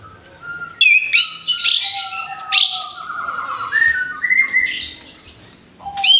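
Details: Song of an orange-headed thrush fresh from its moult. Loud, rich, rapidly changing chirps and slurred whistles are layered over drawn-out lower whistles.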